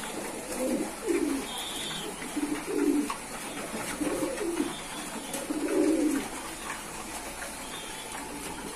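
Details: Domestic pigeons kept by a keeper coo deeply, with four or five swelling, throaty bursts in a row and a faint higher chirp behind them.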